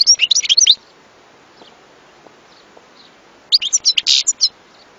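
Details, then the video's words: European goldfinch singing in two short bursts of rapid, high twittering notes with buzzy trills, separated by several seconds of quiet with faint clicks. "صوت حسون لن تنساه طوال عمرك"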